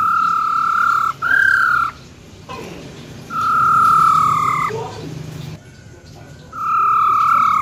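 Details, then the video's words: Female silver-eared laughingthrush with wild voice, for rousing males: a steady whistle, a brief break, a second slightly higher whistle, a pause, then a long flat whistle, a short low note, and another sustained whistle. "Tiếng Chim Khướu || Khưới Mái Bạc Má RO RO || Giọng Rừng Hót Chuẩn - Kích Trống Lên Lửa Cực Nhanh"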